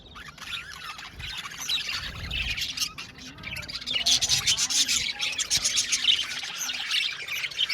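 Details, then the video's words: Budgerigar colony in an aviary: scratchy chatter and rapid chirps, with a soft low rumble early on; the calling grows louder and busier in the second half. "Beautiful Budgies chirping sound"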